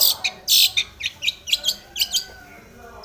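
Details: Excited Long-tailed shrike seeking a rival. Loud rasping bursts open, followed by a string of short scratchy, slightly rising notes about three per second.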